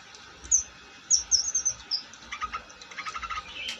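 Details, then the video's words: Long-tailed shrike giving a string of thin, high whistled notes, then a quicker series of soft chattering pulses that fades out, ending in a single sharp note. "Burung cendet gacor"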